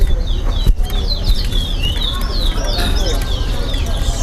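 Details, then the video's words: Chestnut-bellied seed finch (towa towa) singing in a bird club whistling competition at Linden, two birds matched: rapid high whistled notes and slurred rising-falling phrases repeated throughout, over constant crowd chatter and low rumble. "TOWA TOWA BIRD WHISTLING COMPETITION"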